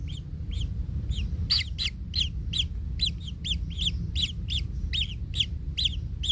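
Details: Baby kingfisher in its nest, hurt when trampled by its parent: evenly spaced hoarse arched squeaks, roughly three a second, over a low rumbling background.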